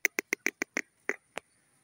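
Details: A captive female grey francolin (Irani teetar) utters a fast, evenly spaced string of short clucking notes, about seven in one second, then a slightly delayed final note, in an otherwise quiet setting.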